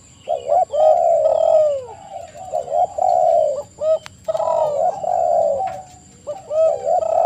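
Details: Lure recording of spotted dove (tekukur) song: repeated mellow coo phrases, some long and falling, others short and clipped, closely packed and partly overlapping, with faint high bird notes above.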